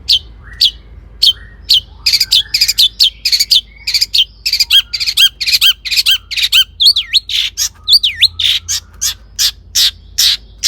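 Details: Long-tailed shrike with varied, mimicking song meant to lure other shrikes; irregular sharp chirps, squeaks and looping whistled notes in a busy, scratchy sequence.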